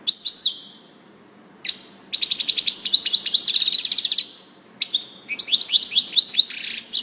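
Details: Scattered high chirps from a European goldfinch build into sustained twittering. A harsh buzzy trill sounds near the middle, then lively tinkling, sweeping phrases follow.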